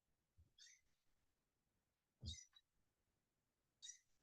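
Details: A Blue Jay in the Georgia Piedmont in fall, when jays grow loud and vocal, gives three harsh, raspy jeer calls about every one and a half seconds, with faint low thumps underneath.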